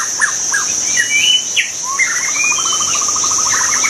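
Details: White-rumped shama singing in the wild: sharp down-slurred notes, mellow whistles, then a long fast rattling trill, all above an unbroken high insect hum.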